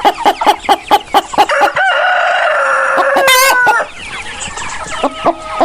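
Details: A rapid series of short, sharp clucks from farm chickens, about two a second, gives way to a rooster's long, steady crow of over two seconds. Softer clucking resumes afterward among free-range and farmed hens.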